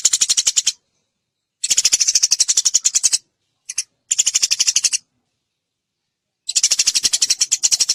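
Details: Eurasian tree sparrow in a clear training recording for songbirds: four bursts of rapid scratchy chirps, each about a second long, separated by pauses of one to one and a half seconds.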